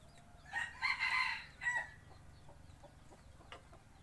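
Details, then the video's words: Decoy cockerel for forest hunting gives one hoarse, slightly wavering crow in two or three connected bursts lasting over a second, then quiet background hum with faint clicks. "Tiếng gáy gà mồi"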